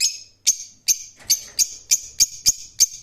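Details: Rose-ringed parakeet calling in a fast series of sharp, shrill screeches, roughly three per second, each note short and grating.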